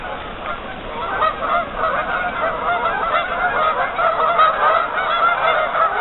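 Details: A big gathering of geese on a partially frozen lake makes a dense, continuous babble of honks and cackles, with no other clear sounds.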